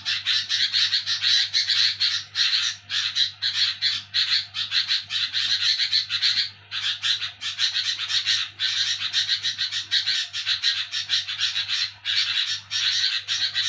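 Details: Sooty-headed bulbul heard at night while people sleep: a sustained stream of harsh, buzzy chatter broken by a few brief silences, with a steady low hum behind it.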